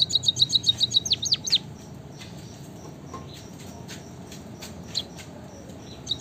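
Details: Actively singing white-headed munia (emprit kaji) opens with a fast burst of high, clipped chirps that ends in a few sweeping downslurs, followed by quiet with occasional soft high notes.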